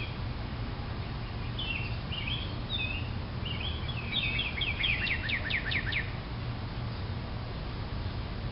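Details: House wren in a backyard where a young wren is present, singing one phrase of about four seconds: scratchy churring notes that break into a quick cascade of bright, downslurred trilled notes, over a steady low rumble of background noise.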